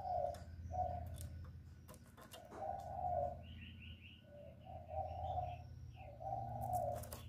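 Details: Spotted dove call for lure trapping: a series of mellow, mid-pitched coos, some drawn out, under a steady low engine-like hum, with thin chirps from smaller birds above.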